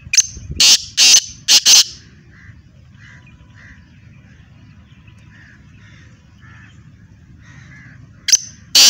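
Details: Black francolin calling, a hobby bird from Hyderabad, Sindh. Four harsh, grating bursts open the sequence. Several seconds of faint soft notes from other birds follow, and two more loud rasping bursts close it.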